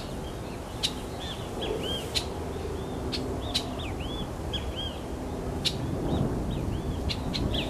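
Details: Scarlet-headed blackbird giving a series of soft, looping whistled notes at a steady pace over a constant low rumble of background noise, with occasional sharp clicks.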